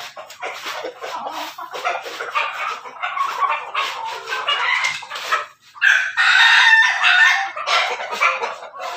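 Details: Backyard-raised roosters, Pelung, Bangkok and Ketawa crosses, crow with long, harsh, drawn-out notes, the loudest rising and holding near the end, over a busy background of clucking hens.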